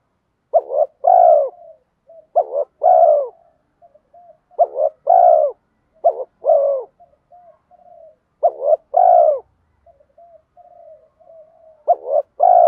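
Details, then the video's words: Spotted dove in 'giọng đồng' style, urging 'thúc' coos with 'mắt me' accompaniment to draw wild doves back; six phrases of a short stuttered hoot and a long descending coo, separated by quiet soft gurgling notes. "Cu gáy giọng đồng pha thúc Gù Kèm Mắt Me rút chim bổi cu gáy rừng nhanh về cội"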